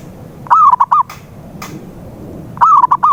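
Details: Zebra dove cooing used to coax a quiet dove into singing. Two phrases, each a trilled wavering coo ending in brief staccato notes, separated by soft clicks and quiet hiss.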